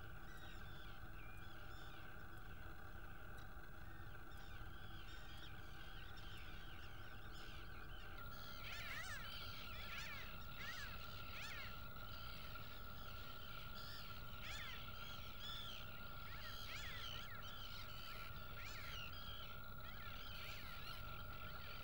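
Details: Common redshanks (Tringa totanus) give rapid, high piping calls in bursts over a steady low hum.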